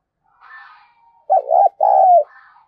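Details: Spotted dove calling to lure, soft murmuring notes leading into a loud, hollow, throaty coo phrase with a long, slightly falling final note, then a quiet trailing sound.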